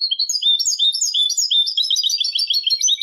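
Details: Malaga-type song of a European goldfinch, used to train chicks and hybrids; an unbroken rapid stream of tinkling, jangling twitter notes filling the whole stretch, loud and clear.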